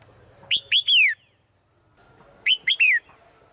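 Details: A female bird's daily forest call to the male: two ringing three-note phrases two seconds apart, each note rising then falling, the last note longest and sliding down.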